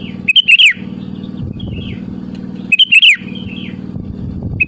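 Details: Sooty-headed bulbul singing to lure rivals: two bright bubbly whistled phrases about two and a half seconds apart, with faint softer notes between and a low hum throughout.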